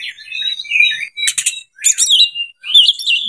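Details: Oriental magpie-robin in breeding condition, singing as a lure for other birds. Smooth whistled notes alternate with two harsh, rasping bursts, ending in a bright wavering whistle after a short pause.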